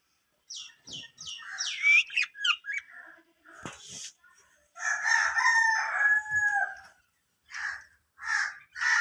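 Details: Four breeding pairs of Budgerigars in a colony chatter in short, scratchy, warbling notes, some in quick bursts and others drawn out and nasal.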